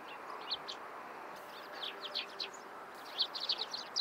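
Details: Eurasian tree sparrow calling in the morning: short, bright chirps in loose clusters, some doubled, over a steady background hiss of outdoor noise.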